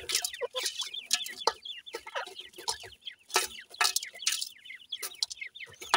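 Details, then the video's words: Several Sindhi grey francolin chicks feeding, their high descending chirps tumbling over one another in bursts, mixed with frequent sharp clicks and rustles. "sindhi gora teetar kay chicks feeding"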